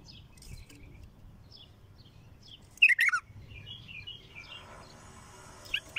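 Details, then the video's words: Bulbul song with one loud, fast, bubbling descending phrase near the midpoint, surrounded by softer scattered chirps and twitters, and a hissy noise late in the recording. "اقوى تغريد بلبل خام حنجره ثكيله"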